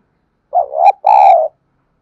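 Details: Spotted dove used as a decoy to stir wild doves to coo, giving one deep two-part coo: a brief wobbling note, a tiny gap, then a longer sustained hollow note. Silent background.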